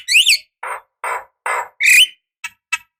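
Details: Javan myna decoy calling meant to make other birds answer: a sliding whistled squawk, three rasping harsh bursts spaced by short pauses, a rising whistle, then brief clipped chips.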